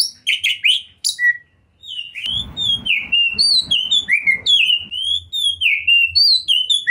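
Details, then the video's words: Kacer, or Oriental magpie-robin, a champion bird singing 'gacor' with full material: quick high chips, a short gap, then a steady string of looping whistled notes over a brief rumbling noise. "OCEHAN KACER TOP, GACOR DORRR ll JUARA FULL MATERI MEWAH 2021"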